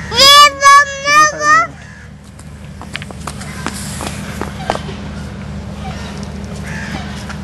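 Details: Peacock giving four loud, nasal, harmonic calls in quick succession over the first two seconds, then quieter background noise with scattered clicks and faint rustling.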